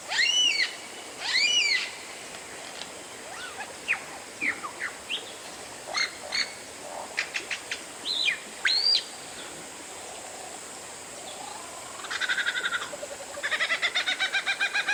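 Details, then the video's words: Oriental magpie-robin song used to provoke other birds to sing: varied clear whistles, arched notes and sharp rising slurs, short buzzy bursts, then rapid harsh rattling chatter near the end. "PANCINGAN KACER, super gacor, bikin geger semua burung"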